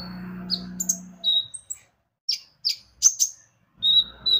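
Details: Lure song of the konin (brown-throated sunbird): scattered high chirps and thin level whistles separated by short silences, over a low steady hum at first.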